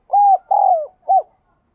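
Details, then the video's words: Close, loud spotted dove coo in the ringing đồng chuông voice: two sustained arched notes followed by a short clipped one. "cu gáy/ cu gáy giọng đồng kim"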